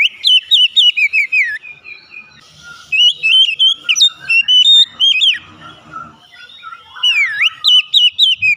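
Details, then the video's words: Oriental magpie-robin in full song to draw out other birds: rapid runs of bright, wavering whistles, many short notes repeated in quick series, with a few softer gaps and a swooping downslurred phrase near the end. "memancing Kacer cepat ngeplong gacor"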